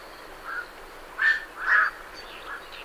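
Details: Night herons departing a roost, recorded fairly close: a short croak, then two louder, drawn-out hoarse squawks in quick succession, fading into a faint final note.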